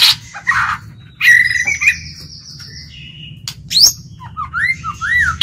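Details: White-rumped shama kept as a lure bird, singing to provoke rivals: long buzzy and pure whistles, brief harsh notes and looping upslurred whistles near the end over faint low hum.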